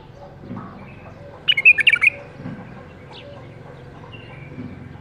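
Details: Captive-bred bulbul hatched in the 2018 season, kept caged, delivers a single short burst of quick, sharp chirped notes midway through an otherwise quiet stretch with soft low hum.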